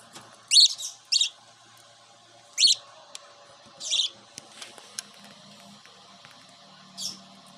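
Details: Pet cockatiel grown up from a baby, giving about five separate high chirps, a quick pair first and then single calls spaced a second or more apart, over quiet indoor background.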